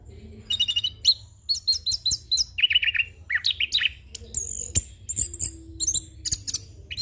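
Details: Young orange-headed thrush, kept as a training and lure bird, singing quick repeated chirps, descending whistled slurs and high piercing notes in a continuous varied sequence, with low hum in the background.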